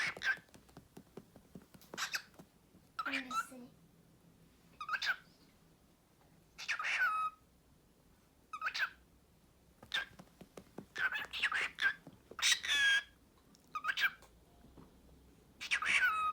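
A cockatiel chatters short, scratchy bursts of mimicked speech mixed with bright whistled notes.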